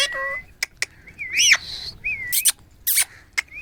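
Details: An angry Alexandrine parakeet gives high, wavering whistled notes broken by harsh, grating screeches and sharp clicks over a few seconds.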